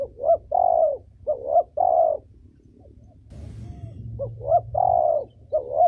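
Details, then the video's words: Female spotted dove, used to train young birds, cooing in low hollow phrases of a short rising note and a longer level note, repeated, with a brief rustle in the middle. "Cu gáy mái giọng hay, gáy, gù, thúc kích bổi tốt, tập chim non hay!"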